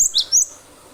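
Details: Cinereous tit (glatik batu), a vigorous 'nembak'-style singer used as a lure for other birds, giving two brief, very high, sharp chirping notes in quick succession, with quiet background.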